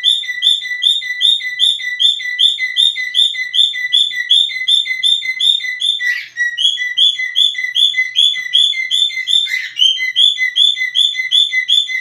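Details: Cockatiel whistling: a rapid, steady run of paired notes, a high slurred whistle dropping to a lower clipped one, repeated about two and a half times per second, with two brief sharp clicks midway.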